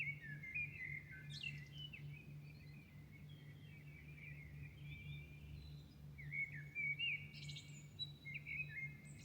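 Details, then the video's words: Dawn birdsong in Milan: scattered whistled and chirping phrases with sharp high flourishes near the start and the end, set against a constant low humming drone. "Singing night Milano birds at dawn"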